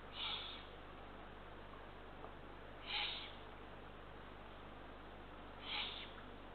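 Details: Ringed Eurasian eagle-owl nestlings in Estonia at night on 23 June 2023, fed two small rodents at the nest; three rough, breathy hisses spaced nearly three seconds apart, with quiet background noise between them.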